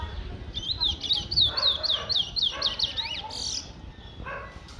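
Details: Chestnut-bellied seed finch, known as towa towa, from Guyana, singing a rapid run of sweet, slurred whistled notes that dip and rise, about four per second for some two and a half seconds, with faint low voices behind.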